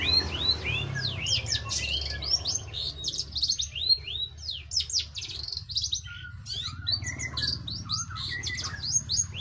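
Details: A long-tailed shrike pours out dense, busy song of quick upslurred whistles, chips and scratchy twitters packed closely together, with a faint low rumble in the background.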